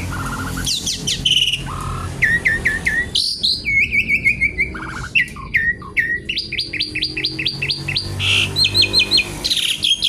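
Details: Lively Javan pied starling, said to be noisy and looking for an opponent, sings a varied stream of upslurred whistles, rapid repeated notes, harsh buzzy bursts and chattering phrases, continuous throughout.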